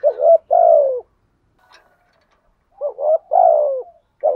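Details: Spotted dove lure bird cooing in the thúc gù and gáy gọi manner, two low hollow phrases separated by a pause, each a quick two-part note followed by a longer coo that falls in pitch.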